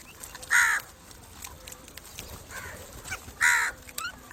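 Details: Crow cawing, played to attract crows: two loud, harsh caws about three seconds apart, with faint chirps of small birds in the background.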